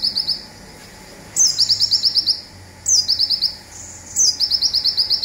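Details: Local olive-backed sunbird giving its rapid 'zipper' song, used as a master recording for training songbirds: three high bursts, each opening with a sliding whistle and then a fast, even run of about nine sharp ticking notes, with quiet gaps between.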